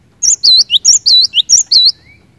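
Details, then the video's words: Cinereous tit delivering a short, loud phrase of bright, looping whistled notes, about eight in quick succession, then falling silent apart from a faint thin note; sung to make other birds sing. "Kicauan Glatik Batu Gacor Ini Cepat Bikin Glatik Batu Lain Bunyi Gacor"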